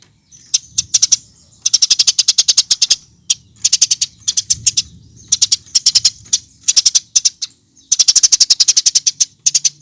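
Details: Eurasian tree sparrow in lively, full song, used as a lure to make other birds sing: bursts of rapid, high, clicky chirps, each burst about half a second to a second long, separated by short pauses.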